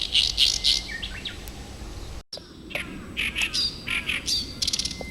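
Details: Oriental reed warbler, arrived in early summer behind a house, sings loud, harsh, grating notes in quick, varied chattering phrases with a brief break, singing morning and evening until it finds a partner.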